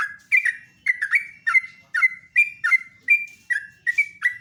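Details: Sooty-headed bulbul in morning song, delivering loud bubbly two-part phrases, each slurred up then down, repeated roughly every half second without a break across the whole stretch.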